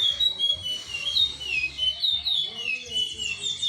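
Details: Chestnut-bellied seed finch singing in the Timbira style: clear, slurred whistles sliding down and up, phrases run together almost without pause, with a faint low hum underneath.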